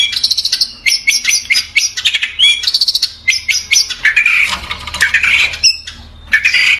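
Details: Caged long-tailed shrike offered for sale in Bondowoso sings a rapid, busy jumble of high ticking chirps and short trills, broken by harsh buzzy notes and brief pauses.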